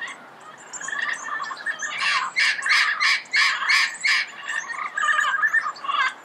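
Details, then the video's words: Red-crowned amazon calling early morning in Pasadena: a run of loud, harsh, raspy squawks repeated about three times a second, with quieter chirps before and after. "Red-crowned Amazon Bird Sound, Bird Song, Bird Call"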